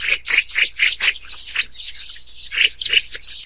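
Black-throated tits give a fast run of high, scratchy, buzzy notes, several per second, with faint lower rattles mixed in.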